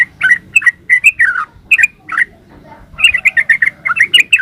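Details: Two bursts of rollicking yellow-vented bulbul song, 'gacor ropel uplik': paired liquid chirps, a short pause, then a faster tumbling run of warbled notes to the end.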